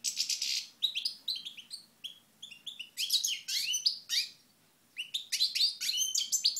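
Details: European goldfinch singing in the sunshine at Moknine in 2012: fast, bright twittering of high buzzy notes and sweet trills in quick bursts, with short pauses between phrases.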